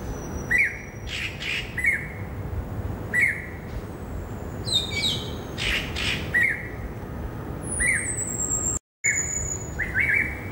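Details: Greater racket-tailed drongo singing in a herb garden on a Saturday afternoon, 16 December 2017: repeated whistled phrases mixed with harsh, broadband rasping notes and a descending high tone, with a brief gap near the end.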